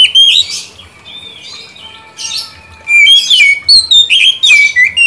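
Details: Song used as a lure and therapy for a shama that has stopped singing: bursts of clear whistled notes sliding up and down, with short buzzy flourishes and quieter gaps between phrases.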